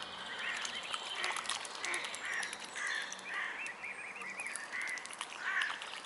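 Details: Young mute swans, cygnets, calling with a run of high piping peeps repeated roughly every half second to second, each a short wavering whistle, over a constant outdoor hiss.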